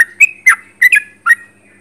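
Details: Sooty-headed bulbul in full song heard close up, five quick liquid notes in under two seconds, each a brief bubbly phrase with a sharp onset, clean background.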